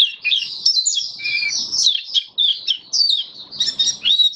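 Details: A caged white-eye sings in the open on 23 March 2022 amid warm humid weather: bright, high warbling with quick sweeping notes, a lower whistled note near the middle, then a jumble of chirps.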